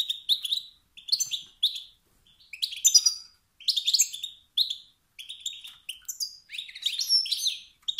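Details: Wild male European goldfinch giving motivating calls that stir rival males to sing out of competitive, dominance-seeking instinct; rapid bursts of short, high, bright twittering chirps and buzzy notes in quick clusters with brief pauses, no other sounds.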